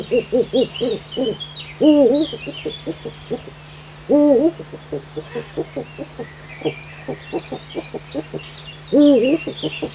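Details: Eurasian eagle-owl in the Eifel, recorded at 05:50 on 19 June 2015: three loud, bent, nasal calls, each under half a second, among a steady run of short rapid low knocking pulses, with faint songbird chirps high above.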